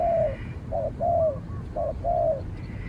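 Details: Spotted dove in a calling fight between a trained decoy and a distant wild bird that ends up driven off. Loud, clear coos sound, short notes alternating with longer slurred ones, about five in under three seconds.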